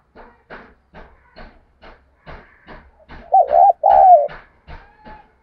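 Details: Decoy spotted dove cooing excitedly: two loud, wavering, low coo phrases in quick succession, set among a steady series of soft rhythmic clicks or taps about twice a second.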